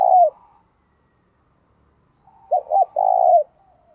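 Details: Cooing of a decoy spotted dove meant to attract wild doves: the tail of one phrase, a quiet gap, then two short hooting notes and a long throaty trill-like coo.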